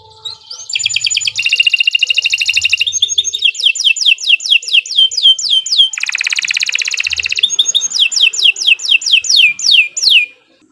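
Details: Long canary song for getting other birds to sing: a rising slur into dense buzzy trills, a series of quick descending whistled sweeps, a harsh broadband burst, then more falling sweeps before silence.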